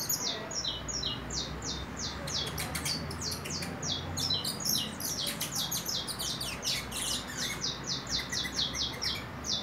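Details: Four-month-old juvenile saffron finch heading into its nest moult, eager to sing: a run of short, high, downward-sweeping chirps repeated rapidly and somewhat irregularly, with a few sharper notes above and a faint low hum underneath.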